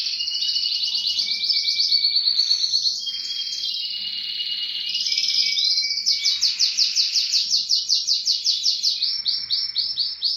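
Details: Spanish timbrado canary song: continuous high, metallic rolling trills, some rapid and bell-like, others buzzing, with the pitch shifting between phrases over ten seconds.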